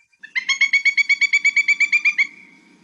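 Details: A Pileated Woodpecker, said to be a juvenile that had just left its nest hole, gives a loud, fast series of about fifteen ringing notes, about eight a second. They waver slightly in pitch, more varied than a flicker's, over a faint low hum.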